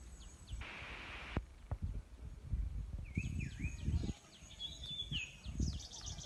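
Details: Birds chirping: after a burst of hiss, several short, bright, rising and falling chirps arrive in quick runs, over low rumbling and rustling noise.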